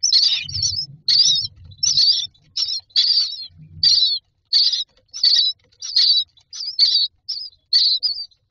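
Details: Myna chicks in a nest box begging for food: harsh, raspy hissing bursts repeated about every half second to second, roughly thirteen in a row, with low thumping rumbles near the start.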